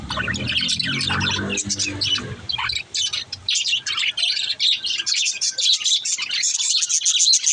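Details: Young budgerigar chatter: fast high chirps and warbled notes, with a low rumbling background during the first seconds, then clearer pulsed twittering.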